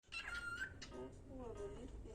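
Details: A male Lutino cockatiel kept as a pet at home gives a clear, steady whistle, then a burst of speech-like mimicked chatter indoors.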